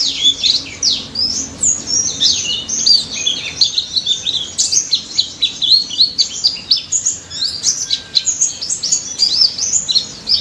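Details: Pleci daput white-eye in energetic 'ngalas' song, played to make silent white-eyes respond: an unbroken stream of high, tinkling chirps and whistled slurs pulsing in short loud bursts throughout.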